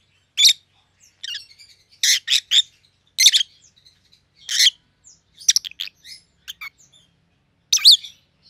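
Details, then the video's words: Two siblings among rosy-faced lovebirds, white-headed pallid and green opalines, give piercing chirps in clusters, including a rapid stuttering series midway, with quiet gaps between. "Rosy-Faced Lovebirds - Chirping and Call Sounds"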